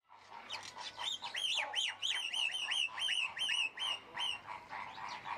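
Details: Crested myna giving a rapid series of short whistled and chirping notes, about two to three per second, each dipping and rising in pitch, with a hiss of background noise.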